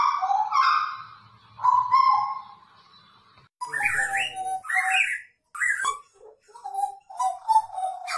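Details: Hooded butcherbird of the blorok type in full, lively song. Rich fluted whistles carry strong overtones, with long slurred notes at first, then quicker varied phrases mixing clear whistles with buzzier, chattering notes. A faint low hum sits underneath.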